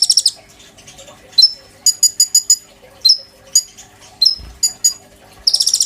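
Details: A caged oriental magpie-robin in the bowing style, kept to tutor white-rumped shamas. It gives scattered sharp squeaky notes and short clipped chirp groups with gaps, ending in a fast high trill.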